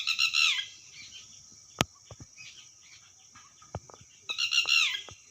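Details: Red wattlebird with a raspy squawk at the start and another near the end, separated by quiet stretches of faint chirps and a few sharp knocks and clicks.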